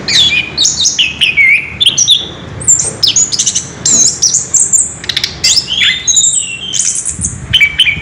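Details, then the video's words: An orange-headed thrush rolls out its ngerol song, a busy cascade of high whistles, rising and falling slurs and clipped notes that barely stop for breath. "Burung Anis kembang ngerol edan luar biasa"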